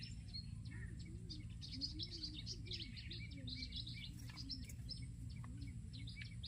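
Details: In a garden, an olive-backed sunbird gives rapid high chirps and thin twitters in a steady stream, with a low wavering hum and background rumble underneath.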